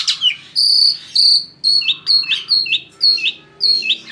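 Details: Asian pied starling singing to encourage other birds to sing: a clear high whistle followed by a string of similar whistled notes, each dropping sharply at its end, repeated roughly every half second, with a faint low hum behind.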